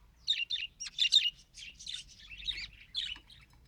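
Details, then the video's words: Budgerigar kept as a pet, trying to talk: a dense, continuous stream of scratchy chirps and buzzy warbling notes, rising and falling quickly, in loud and soft pulses. "Budgie Tries to Talk… and Fails Adorably"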